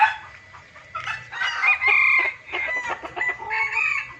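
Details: Lure recording of noisy junglefowl: a continuous jumble of raspy, chattering calls with quick squeaky notes, fairly high and dense throughout.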